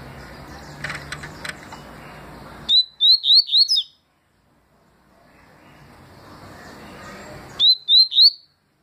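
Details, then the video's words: Tui song from a papa-capim seedeater, recorded 2020: a burst of five quick rising whistles, a pause, then a second burst of three, with faint chirps and low hum beforehand. "Papa capim tui detonado em 2020"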